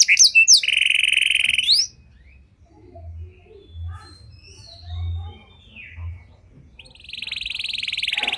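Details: Panda canary with a cengkok mewah song for luring and training other canaries: a steady buzzy tone with sharp sweeps, several seconds of near silence with faint soft notes, then a dense buzzy trill resumes.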